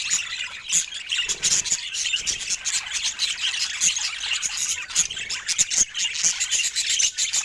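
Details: Pet budgerigars chattering in a dense, continuous wash of high chirps and squawks, overlapping warbles from several birds with no pauses.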